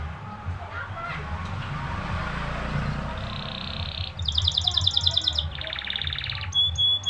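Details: Canary lure song meant to prompt other canaries into singing: after several seconds of low background rumble, rapid metallic trills and buzzy rolls begin, followed by short sharp repeated notes.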